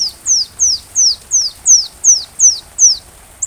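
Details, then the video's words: High sunbird song for training a white-rumped shama: evenly spaced downward-sweeping whistles, nearly three per second, each note thin and sliding down, in a regular repeated series. "Rajanya Isian Kolibri"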